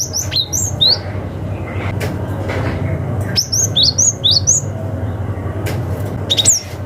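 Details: Cinereous tit calling rivals in forest style, a lure for young forest birds: high, bright downslurred chirps in quick runs at the start and middle, a short burst at the end, low hum throughout.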